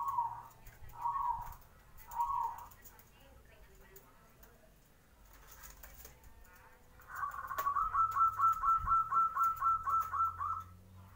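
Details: Zebra dove morning song to lure other birds into answering: three short soft coos about a second apart, a pause, then a long series of rapid rhythmic pulsing notes lasting several seconds.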